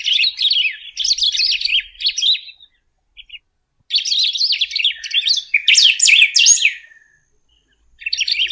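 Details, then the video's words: Golden-billed saltator delivering two long bursts of hurried, chattering warble separated by a short silence. Louder, steeper slurred notes come late in the second burst, and a third burst starts at the end. "Pepitero/Picahueso Canto - Golden-billed Saltator - Saltator Aurantiirostris"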